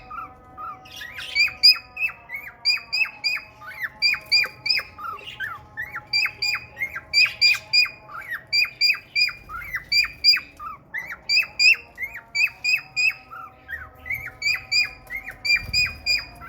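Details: A male cockatiel sings a quick run of bright, repeated chirps and whistles to court a red-eyed female budgie.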